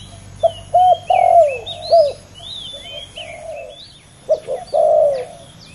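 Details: Male spotted doves in a heated contest: quick coos and a long hoarse downward coo, a softer echoing phrase, then another coo sequence, with whistling and chirping birds in the background.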